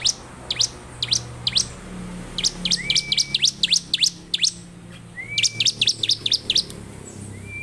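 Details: Bar-winged prinia, called ciblek, singing a lively series of sharp downward-sweeping chips, several per second in bursts, broken by short level whistled notes; low steady hum in the background.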